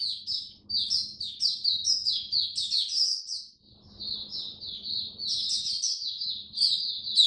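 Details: Oriental white-eye, a caged hobby bird on a diet adjusted for cold, rainy weather, 8 October 2022; continuous high, jumbled twittering of quick descending and trilled notes with one brief pause, faint low humming underneath.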